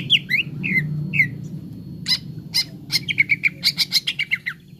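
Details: Cucak ijo, grey-throated leafbird, training song for making birds sing: a few slurred whistles, then a quickening series of sharp chipping notes with short whistled phrases, over a steady low hum.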